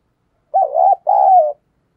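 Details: A spotted dove gives a pair of coos, from thúc gù and gáy gọi calls used to lure wild doves: a wavering first note, then a longer, smoother falling coo, with nothing else heard.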